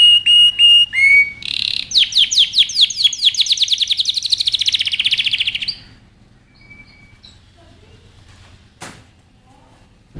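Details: Canary song used for training: a few clipped notes and a rising whistle lead into a rapid trill of repeated sweeps lasting about four seconds, then near silence with a faint thin whistle and a single click.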